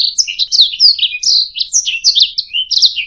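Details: A brief burst of canary song for tutoring other birds: several smooth slurred whistles and quick chirps running together, bright and high-pitched, with nothing else heard.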